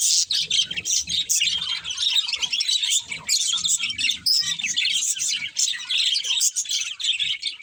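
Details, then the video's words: Pet budgerigars keep up dense warbling chatter, many quick high chirps blending together, soft low murmurs underneath early on. "Cute Budgies Chirping Sounds"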